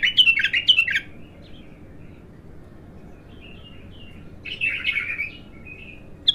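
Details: Bulbul, untrained and singing for the first time: a quick burst of bright warbled notes, a long quiet stretch with soft faint whistles, then another chattering phrase.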